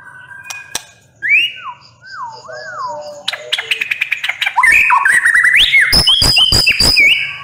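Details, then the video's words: A white-rumped shama sings in full, fiery form: clear rising and falling whistles, then a rapid burst of sharp chips and rich whistled phrases. "MURAI BATU NEMBAK PEDES"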